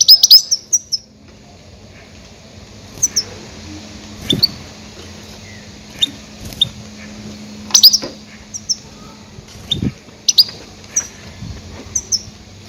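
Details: Goldfinch lure calls for catching grey-headed goldfinches: scattered, thin, high chirps, singly or in quick pairs every second or two, with a faint steady hum and occasional soft knocks.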